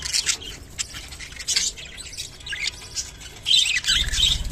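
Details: Rainbow budgerigar giving its mating call: busy, scratchy high chatter with squawky bursts and quick chirps, louder near the end, with low rumbling background noise.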